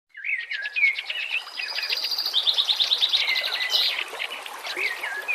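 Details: White-rumped shama song set against nature sounds, meant for training other shamas: varied clear whistles and slurred notes run into rapid, dense trills and buzzy repeated phrases high in pitch, with steady background hiss.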